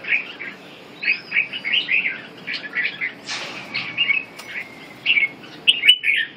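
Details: Red-whiskered bulbul song of scattered chirps and short warbles, with a soft flutter of wings midway and a thin drawn-out whistle near the end.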